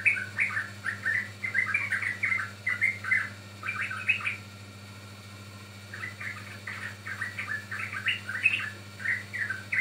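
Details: Chirping sooty-headed bulbul song used to lure or train birds: dense runs of short, bright notes, a quiet gap of about two seconds mid-way, then more lively phrases.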